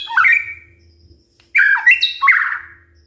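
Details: White-rumped shama song for morning provoking of other birds: two short bursts of harsh, slurred mid-pitched notes with a brief pause between them.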